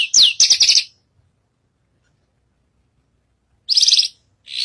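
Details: Javan bushlark (branjagan) singing up on a stage, a lively singer: a short burst of rapid, rasping high trills with a falling whistle, a long silence, then another buzzy trilled phrase.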